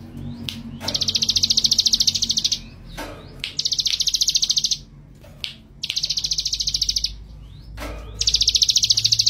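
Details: Male Mountain blue robin, described as a bold, vigorous singer, gives high, fast trilling bursts of rapidly repeated notes, four long rattling phrases separated by pauses, over a steady low background hum.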